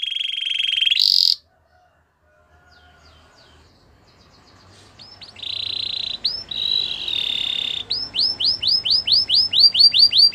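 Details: Canary song used for training: a steady whistled trill breaks off into a short silence over a low hum, then sustained whistled notes resume and build into a rapid series of loud rising-falling slurred notes.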